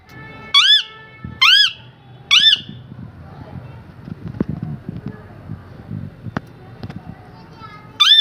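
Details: Parrot calling: three loud, harsh, arched squawks in quick succession, then a quieter stretch with faint background noise and clicks before one final squawk.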